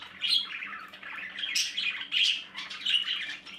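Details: Live view inside a budgerigar nest, where the chicks make rasping, squealing calls in short surges, loudest around the second and third seconds.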